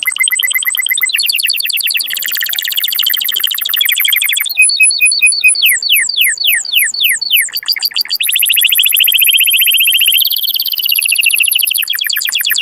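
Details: Canary song meant to rouse males and females to mate; long stretches of rapid rattling trills, a run of evenly repeated slurred whistles, then smooth buzzy trills.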